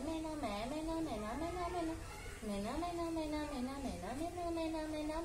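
An Alexandrine parakeet talks in a human-like voice, repeating a short two-syllable word about once a second with a dip and rise in pitch.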